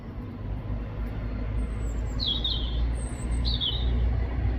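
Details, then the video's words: A robin, recorded in the UK, gives two short, thin, high warbled phrases about a second apart, with faint higher squeaks, over a loud low rumble of traffic. "Robin bird chirping sound"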